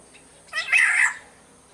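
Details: {'caption': 'Black-naped oriole of the Sumbawa form: one hoarse, mewing note, scratchy and nasal, swelling then fading within about half a second, heard clearly over near silence.'}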